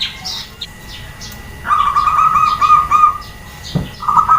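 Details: Female zebra dove calling to provoke males and flocks to answer: a rapid, rolling, trilled coo held at one mid pitch for over a second, then a shorter one, with faint chirps of other birds and background noise.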